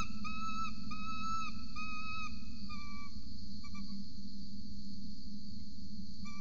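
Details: At a peregrine falcon nest in Orange, Australia, on 26 November 2020 at 8:07 am, an adult feeds a chick; a quick series of short clipped whistled notes for three seconds, then scattered fainter ones, steady hum behind, nest camera recording.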